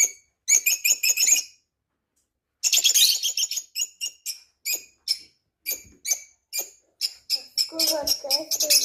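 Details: Parrot chattering: a fast burst of high chirps, a pause of about a second, then a long series of sharp repeated chirps, ending with a lower, rougher chattering sound.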